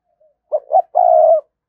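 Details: A single cooing phrase from a spotted dove kept as a lure to rouse wild doves: a faint opening note, two short hoarse notes, then a drawn-out low coo.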